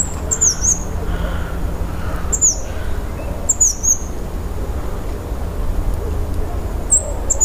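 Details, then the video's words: Chestnut-vented conebill giving high, sharp, slurred notes in small clusters a second or more apart, set against a loud, rumbling low background noise. "O canto da Figuinha de rabo castanho"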